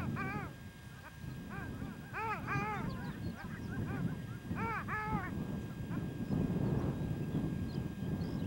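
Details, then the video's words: Spring male long-tailed duck calling on a small pond by One-Eyed Jack Lake, Victoria Island, Nunavut; series of bright bending yodel notes in clusters of two or three during the first five seconds, then only low wind rumble. "Male Long-tailed duck on Victoria Island, Nunavut"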